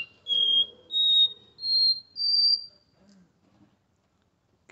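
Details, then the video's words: Capped seedeater, a caged bird in São Paulo, Brazil, singing the Porta-voz song style at 7:40 in the morning: four clear whistled notes, each held and stepping higher in pitch, then quiet. "Caboclinho Porta-voz,esse canta lindo de verdade"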